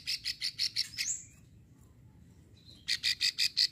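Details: Female plain prinia giving a long rasping call used to lure males, recorded in Ulujami, Central Java: a run of buzzy, clicking bursts repeated about three times a second, a pause, then another burst series; faint rural background.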